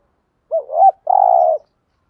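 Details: A spotted dove coos to encourage decoy doves to answer: a short double note that swoops up and down, a brief gap, then a long steady mellow coo. No other sounds.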